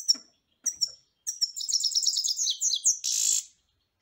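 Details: Song of a European goldfinch: separate short high call notes, then a rapid jingling twitter with trills, ending in a harsh buzzy rasp.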